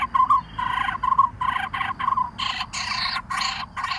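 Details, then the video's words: Lineated barbet nestling near fledging, in a nest in the hollow of a dead durian tree. It screams in harsh, raspy bursts about one per half-second, growing louder and buzzier, while waiting for its parents to bring food. "Lineated Barbet Feed Babies In Hollow Tree"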